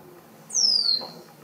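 A White-lined Tanager gives a single thin, high whistle that slides steadily downward over about half a second, against quiet background hum.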